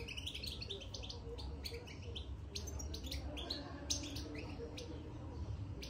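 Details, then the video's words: Newly caged European goldfinch giving bitbita twitter, a busy stream of short high tweets and twangy trills across the clip over a persistent low drone. "بتبتة الحسون من دخل القفص"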